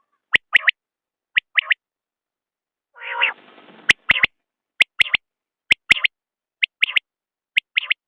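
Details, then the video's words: Common quail calling: short, sharp three-part notes repeated about once a second. One harsh, buzzy, rasping burst breaks in midway. The background is otherwise quiet. "بٹیر کی آواز/ quail bird sound"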